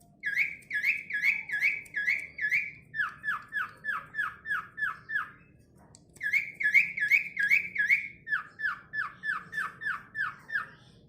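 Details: A tame, vocal Asian pied starling that can talk whistles long runs of bright, clipped notes, about two each second. Rising notes give way to falling ones, and the series pauses once before starting again.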